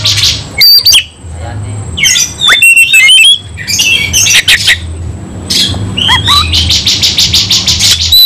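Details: White-rumped shama (kacer) in fighting mode: sharp broadband squawks, whistled slurs and a fast ticking rattle near the end, loud and agitated, faint low hum behind.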